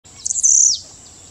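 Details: A Blue-black Grassquit at Las Peñas, Ecuador, gives one short, very high, buzzy note that wavers and then drops away, lasting about half a second, over a faint steady high hiss.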